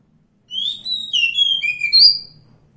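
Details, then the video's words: Wild Oriental magpie-robin, a forest bird, singing a short phrase of clear, high whistled notes, some rising and some falling, slurred together over about two seconds, with a faint low rumble beneath. "suara asli kacer hutan"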